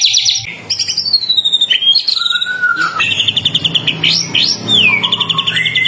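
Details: Singing murai batu, the white-rumped shama, used as a lure for other shamas: rich varied phrases mixing high trills, sliding whistles, rapid chattering and clear downward notes, delivered almost without pause.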